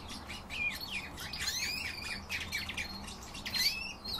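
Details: Common rosefinch, one of the owner's kept birds, giving slurred whistled notes that rise and fall, set within dense overlapping chirps and twitters from other birds nearby.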